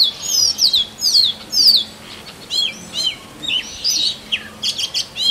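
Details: Forest song of a male Oriental magpie-robin courting a mate: bright, high, descending whistled notes, then quicker broken chips and short trills in bursts, the rhythm uneven.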